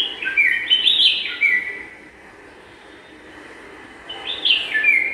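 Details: Pair of bulbuls preparing a nest in a garden: a bubbly, liquid whistled phrase with quick up-and-down notes opens the recording, then a pause, and a similar warbling phrase returns near the end.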